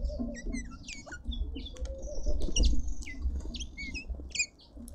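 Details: Busy chatter of red-winged starlings feeding in a South African city garden in Pretoria: rapid overlapping chirps and short slurred whistles, many notes per second, over a low rumble.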